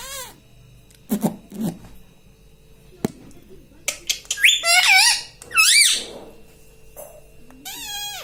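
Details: Pet rose-ringed parakeet indoors mimicking speech, repeating words like "mitthu" and "mummy papa": bursts of harmonic, wavering squawky syllables rising and falling, with a few soft clicks and a human voice in between.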